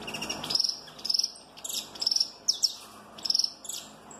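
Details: Snapping song of a giant-mutation Peruvian saffron finch: short high buzzy trills alternating with quick down-slurred notes, in bursts roughly every half second, over a faint steady background hiss.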